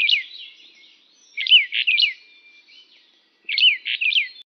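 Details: Brown bullfinch of the subspecies Pyrrhula nipalensis uchidae calling: short, clear, high chirped notes with downslurred whistles, in a cluster at the start, a tight group near the middle and another pair near the end, with quiet gaps between.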